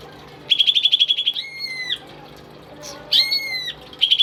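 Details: A tame pet greater green leafbird sings energetically: a rapid pulsed trill, then two long ringing whistles with falling ends separated by a quiet gap, and the trill starting again at the close.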